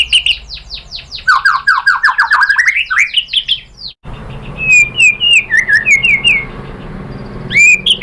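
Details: White-rumped shama lure song to provoke a reply: a rapid series of descending whistled slurs that climb in pitch, a short break, then sweet rising and falling whistled phrases with a faint background hiss.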